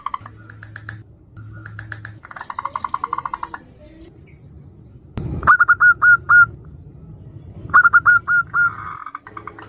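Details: A local female zebra dove calls to a male, other doves answering, for luring birds: faint rapid note runs early on, then two loud short bursts of five clipped whistled notes, with a knock between.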